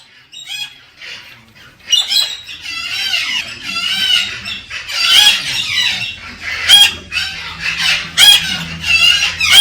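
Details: Galah cockatoo stimulating a female to mate: harsh, grating screeches in irregular bursts, starting sparse and then running almost continuously, with a low hum beneath.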